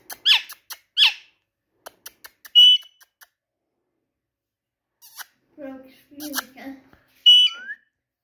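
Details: Indian ringneck parakeet talking indoors: harsh scratchy bursts and short clicks, a clear high held note, then a run of lower, voice-like syllables near the end, closed by another bright note and a brief rising whistle.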